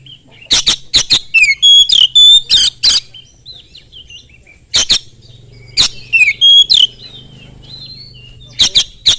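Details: Rapid Oriental magpie-robin song used to lure other magpie-robins into singing: clusters of harsh chattering bursts with short bright whistles and a falling slur, separated by brief pauses, faint low hum beneath.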